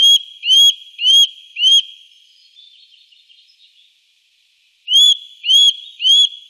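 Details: Eurasian nuthatch in the Wittlich valley, 2018, calling with loud, clear rising whistles spaced about half a second apart, four then a break with soft twitters, then three more.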